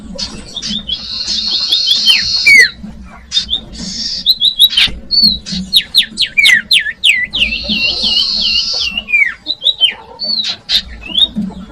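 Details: Common iora, played to attract young birds: buzzy trills alternate with bouncing, repeated falling whistles and sharp ticks, the trill returning midway before short whistled notes.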